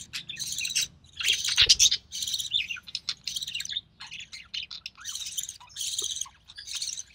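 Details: Budgerigar chick of recessive pied colour, born early June 2020, heard while the mother feeds it: scratchy squeaks and harsh rasping bursts, some longer and louder, with a soft low hum underneath.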